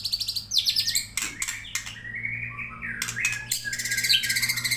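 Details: White-rumped shama linked to Kajen, Pekalongan, delivering a rich varied song: rapid bright whistled phrases and rising slurs, interspersed with sharp clicks and chattering notes, dense and continuous with a low steady hum beneath.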